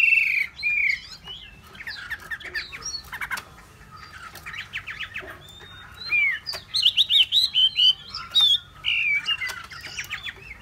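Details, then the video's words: Hwamei offers a mix of whistles and chattering notes, quieter at first, then bursts into a rapid series of loud repeated whistled syllables. "họa mi"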